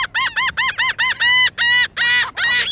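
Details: Laughing gull (Leucophaeus atricilla) calls, lower-pitched than Franklin's gull: a quick run of nasal, arched 'ha' notes, about three a second, then longer drawn-out wailing notes in its laughing series.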